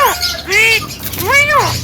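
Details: Vocal Javan myna giving two arched, nasal, harmonic-rich calls that rise and fall in pitch, each about a third of a second, with a short high note before them and steady low hum behind.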